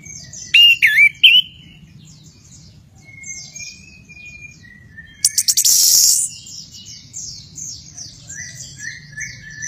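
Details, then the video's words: Orange-headed thrush singing loud, varied whistled phrases with rapid high chattering trills, with a harsh burst of noise near the middle. "Anis kembang Gacor Ngeroll"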